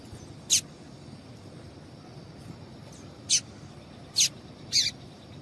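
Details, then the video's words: Female double-collared seedeater calling, used to stimulate males to sing: four short, sharp, very high chip notes, spaced unevenly over several seconds, against a quiet low hiss. "Piado de Fêmea de Coleiro para Esquentar Coleiro"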